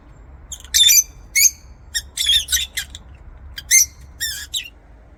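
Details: Lovebirds kept in an aviary call with loud, harsh, high-pitched squeaky chirps, about a dozen notes in irregular short bursts, some rising and buzzy, close to the listener.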